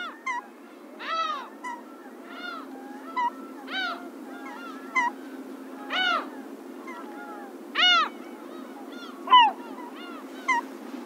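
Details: Slaty-backed gull in coastal Pingtung County, Taiwan, a rare winter visitor, recorded 2016-02-01: a busy series of arched, nasal yelps and shorter clipped notes, varying in loudness, coming about every second over a constant low background hum.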